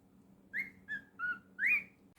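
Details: Four separate whistled notes from a pet cockatiel, the first and last rising, the middle two flat, spaced about a third of a second apart over a steady low room hum.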